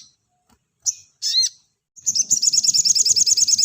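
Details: Clear sogon master recording in tight 'nembak rapat' style, meant for training cage birds. Two quick, bright notes with a rising inflection precede a burst of rapid, high, buzzing pulses.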